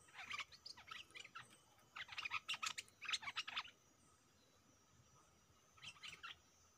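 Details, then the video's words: Decoy stripe-throated bulbul facing captured wild birds delivers groups of fast, sharp chirping notes in clusters, a pause, then a short final burst, with faint background hiss. "Suara merbah lekir gacor"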